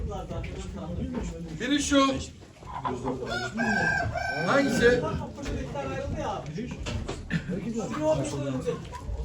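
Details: Chickens at a poultry auction in Ankara, 2023; harsh harmonic crows rise and fall around the second and fifth seconds over a crowded background of clucking, overlapping voices and people talking.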